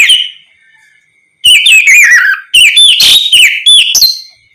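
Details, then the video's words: Oriental magpie-robin singing ngeplong style, played to provoke other magpie-robins into answering: a fading whistle, a pause, then two loud bursts of sweet slurred whistles mixed with harsh rasping notes. "Terapi suara Kacer ngeplong untuk pancingan Kacer apapun agar ikut bunyi nyaut gacor"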